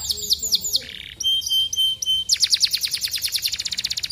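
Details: Canary song meant to stimulate other canaries to join in singing: rapid varied phrases of high whistled notes, a short buzzy section, steady tones, then a fast trill of repeated downward-sweeping notes, about a dozen per second.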